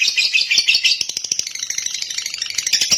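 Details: Short burst of lovebird song: busy, rattling high twitter with quick uneven pulses continuing without a break.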